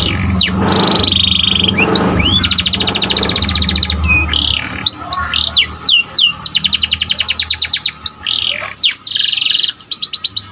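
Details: Canary song: rapid buzzy trills repeated in bursts, interspersed with downward-sweeping whistles and a few rising notes, over a low background hum.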